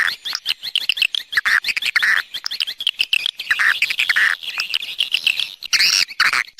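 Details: Swiftlet external sound: high chirps and short twitters arrive in irregular bursts, with a few lower, sliding notes and quick clicky pulses between them.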